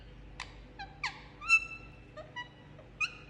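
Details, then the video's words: Indian ringneck parakeet kept as a pet, making soft sounds while getting a head massage; brief clipped chirps and a few longer flat whistled notes, spaced irregularly, in a quiet indoor setting. "Parrot Making Cute Sound And Enjoying Head Massage"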